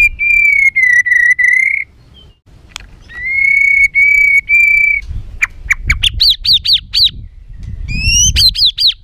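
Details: White-rumped shama giving a rough, agitated song to provoke other birds: long sustained whistles held on one pitch, then sharp clicks and repeated high looping notes over a low rumbling background.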